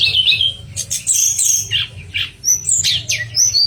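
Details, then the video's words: Pied fantail song for contest-bird training: a warbled opening note, harsher buzzy bursts, then short bright whistles spaced out over a soft low hum. "Manis Kicauan TLEDEKAN"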